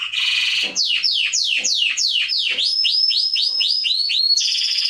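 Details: Singing canary (Serinus canaria), recorded as training for young birds: a harsh buzzy roll, then sweeping downslurred notes about four per second, shifting to quick rising chips before a final buzzy burst.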